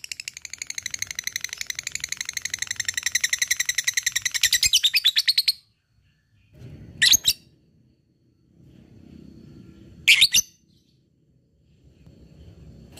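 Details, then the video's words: Lovebird ngekek, a prolonged chattering call said to prompt rival birds to call. A rapid rattling trill builds for over five seconds and stops abruptly, followed by quiet room noise and two short shrill squawks. "LOVEBIRD NGEKEK PANJANG GACOR SANGAT MUDAH BKIN LWN BUNYI"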